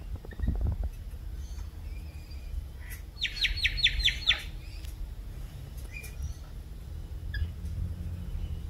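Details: Rainbow lorikeet, an Australian parrot, giving a quick run of about seven sharp, evenly spaced chattering notes in a burst midway, with scattered short chirps before and after over a steady low rumble of background noise.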